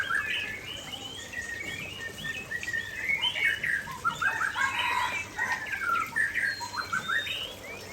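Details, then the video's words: Energetic song of a white-rumped shama, Aceh form, by a waterfall: dense, varied whistles and chattering notes pour out continuously, with the roar of cascading water underneath. "Murai Aceh Gacor"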